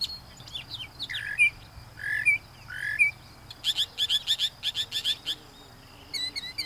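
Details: Male Northern Mockingbird singing, showing females his experience and fitness as a mate and copying his neighbors. Three slurred whistled notes repeat about once a second, then a rapid run of sharp chirps and a brief final burst.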